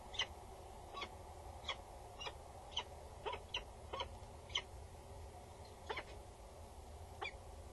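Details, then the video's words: Peregrine falcon female near a nest box on a tower in the Netherlands, male nearby, August 2019; spaced harsh notes, quieter and irregular, over persistent low hum. "Female above the booth. Male is nearby. She is loud and bows"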